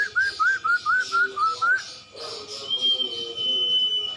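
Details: Cumpon or sirtu, the common iora, giving a masteran song: about seven clear, rising whistled notes repeated quickly, a short pause, then one long, thin, level whistle held high to the end.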